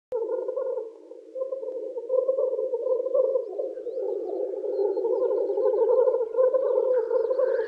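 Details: Male black grouse lekking in spring to woo females: a dense, continuous low bubbling chorus of rolling coos that runs almost unbroken through the clip, with a fainter hum layered above it.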